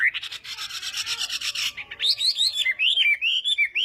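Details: Chinese hwamei in morning singing practice, opening with a harsh, raspy buzzing burst, then turning into flowing, looping whistled phrases that slide up and down.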